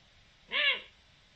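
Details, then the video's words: Eurasian eagle-owl, 7 October 2020: a single short call curving up and down in pitch, bright and layered, standing out from soft steady noise. "El canto del búho"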